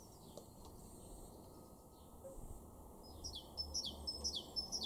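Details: Great Tit singing in a garden at Weener, East Frisia, in Germany's far northwest, April 2023: after quiet faint chirps, a run of high, sharp two-note phrases begins about two-thirds through, repeating roughly twice a second.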